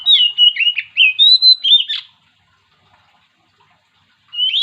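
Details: Oriental magpie-robin in energetic song meant to set other magpie-robins singing: a quick string of varied whistles and short trills lasting two seconds, then quiet, then a rising whistle starts again.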